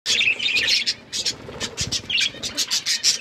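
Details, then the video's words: Several pet budgies of varied colours chirping while playing with each other: dense, bright warbled chirps and quick twitters in overlapping bursts, with faint low rustling underneath. "Beautiful budgies colour chirping and playing with each other"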